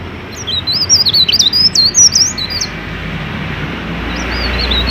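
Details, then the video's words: Mountain leaf warbler in full song, played to coax newly kept leaf warblers into singing. A quick, high, jerky warble of rising and falling whistled notes runs for two seconds, then a fresh phrase begins near the end. Faint low background hum. "BURUNG CIKRAK DAUN GACOR COCOK UNTUK MEMANCING BURUNG CIKRAK BAHAN AGAR CEPAT BUNYI"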